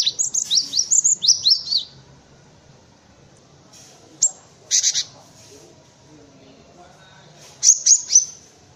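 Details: Cinereous tit, recorded as tutoring material for white-eyes and other birds: a brief burst of high see-saw notes, then scattered short sharp chirps and a few quick clusters separated by pauses.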